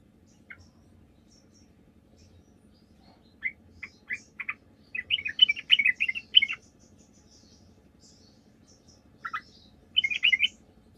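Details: Sooty-headed bulbul song used as a lure to make other bulbuls answer: scattered short chirpy notes and a brisk burst of rapid mid-high twittering around the middle, then a pause and another quick cluster near the end.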